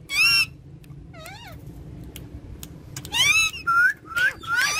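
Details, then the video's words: Pet parrots perched on a charpai indoors, known for talking and dancing, give loud harsh harmonic squawks, then a string of quick upslurred chirps, with a faint low room hum. "Funny Speaking Parrots On Charpai"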